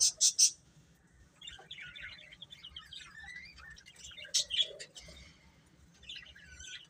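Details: A brood of chicks: a few loud sharp peeps open, followed by softer, wavering high chirps from several birds over a low background hum.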